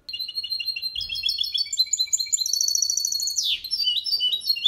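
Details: Hybrid goldfinch × canary delivering Malaga-version song without mistakes for training; steady high trills and repeated chirps building to a fast descending sweep, then more twitters.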